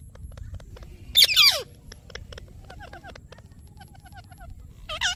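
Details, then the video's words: Pet Indian ringneck (rose-ringed) parakeet giving a loud, harsh descending screech, then softer repeated chirps and a final shrill squawk, over a faint low background rumble. "Parrot Chirping Sounds"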